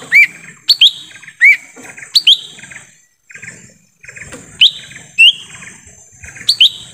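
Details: In forest, a lesser green leafbird, recorded as a lure to draw wild birds, gives bright rising whistled chips in irregular bursts, with a brief silent gap midway and a thin steady hum throughout.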